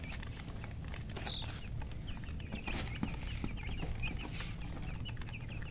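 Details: Hen chirping sounds, murgi chickens: thin high peeps repeated in quick succession throughout, above a steady low background hum.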